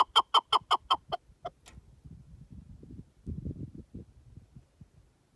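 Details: Partridge in the wild uttering a short burst of six loud, evenly spaced clucking notes. It trails off into a couple of faint notes, followed by low rumbling background noise.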